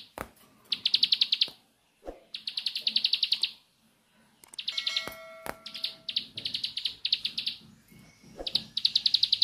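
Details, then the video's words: 'Nembak' song of a bar-winged prinia, delivered as fast chattering trains of high, buzzy repeated notes lasting one to two seconds each, with brief silences between and a few sharp clicks. "Ciblek Sawah Nembak"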